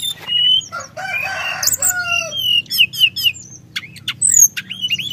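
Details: Sunda whistling thrush singing continuously to provoke other birds, with drawn-out whistles, a harsh noisy burst, then sharp chirps and looping high notes.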